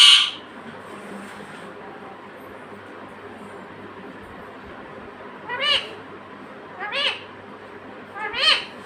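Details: Pet parrot, said to talk and say "mummy" and "papa". A loud opening squawk, a long quiet gap, then three short, nasal, speech-like syllables about a second and a half apart.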